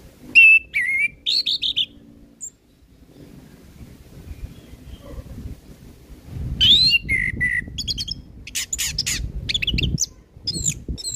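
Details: Orange-headed thrush in energetic full song, played as a tutor and lure recording for young thrushes: bursts of high, bright whistled and warbled notes with a long quiet gap in the middle and a faint low rumble underneath.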